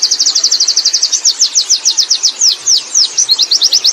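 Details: Wild Oriental white-eye in full rolling song, pouring out a fast, unbroken chain of high, sharp, slurred chirps. The pace slows slightly midway, then quickens again. No other sounds intrude.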